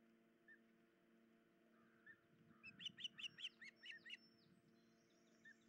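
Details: Osprey at a nest on 10 July 2019, injured female unable to feed the chicks: a fainter run of about seven high whistled chirps mid-recording amid rustling noise and a steady low hum.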